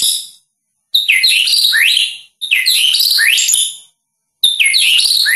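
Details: A Medan-type White-rumped shama, a competition songbird, gives three rich, fast bursts of varied song: high whistles, sweeping slurs and chattering notes, with short silent breaks between them.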